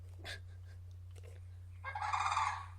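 A Sandhill Crane gives a loud, rolling, rattling trumpet lasting about a second, over a steady low hum, after a few faint voices.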